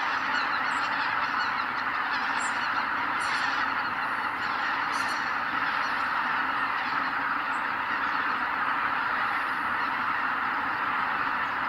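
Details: A huge flock of greater white-fronted geese leaving their roost at sunrise at Kabukuri-numa, Miyagi, Japan, fills the air with a continuous roar of high, yelping honks and thunderous wingbeats.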